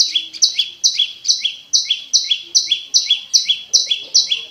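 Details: Olive-backed tailorbird (prenjak lumut) song, used as a lure to coax silent caged birds into singing: clear high paired notes, a sharp upper note dropping to a lower buzzy one, repeated steadily about twice a second.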